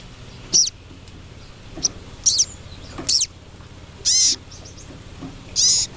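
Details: Female crested jay calling the male with separate loud, buzzy, hissing bursts. Each burst lasts about a quarter second and curves downward, and they come roughly every one to one and a half seconds against a quiet background.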